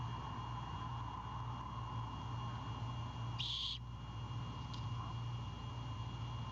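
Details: At night on a nest, a great horned owlet guards a bird just delivered by its father, giving one rasping hissed screech midway, then a faint brief click, with constant low hum behind.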